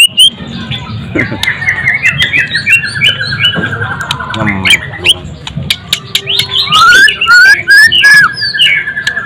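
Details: White-rumped shama delivering a long series of quick descending whistled notes, followed by sharp upslurred whistles and a sustained clear tone, with steady background murmur.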